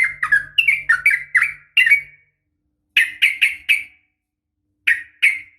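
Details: Female sooty-headed bulbul calling for males in the morning: a quick series of rich, slurred notes, then groups of sharp, buzzy chirps separated by pauses.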